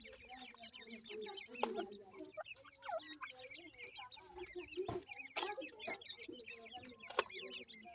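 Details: Dense chorus of francolin chicks: many high, squeaky, rising and falling chirps overlapping continuously, with soft lower clucks and scattered loud clicks.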